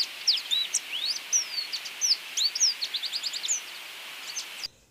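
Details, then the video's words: Song of the Drakensberg siskin, South Africa: high, thin twittering notes, some slurred downward, about one per second in loose bursts, over hissing background noise, ending abruptly. "O canto do siskin de Drakensberg ( Crithagra Symonsi )"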